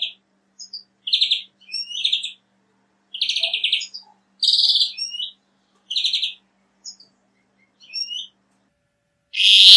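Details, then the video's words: European greenfinch singing in nature: short twittering phrases of quick high chirps and buzzy notes in separated bursts over about ten seconds, ending in a loud rushing noise. "Birds Singing - European Greenfinch"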